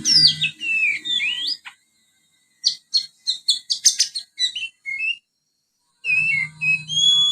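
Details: Young Oriental magpie-robin twittering a soft song with house sparrow mimicry. Quick slurred whistles and rising and falling sweeps, then a run of short clipped chirps, a pause, and more bright warbled notes. A low steady hum runs beneath.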